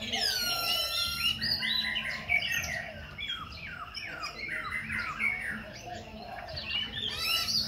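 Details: Khe Sanh laughingthrush singing and dancing while switching voices continuously; a dense run of varied slurred whistles and squawky notes, some rising, some falling, with a harsh harmonic note at the start and end.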